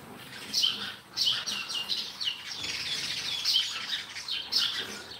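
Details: Sparrows giving loud, sharp chirps about once a second over a steady wash of softer chattering from other birds.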